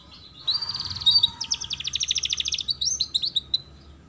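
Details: Recording of canary song used to teach young canaries: a rolling, bubbly trill leads into a long series of rapid, evenly spaced high chips, then scattered whistled notes, over a soft background hum.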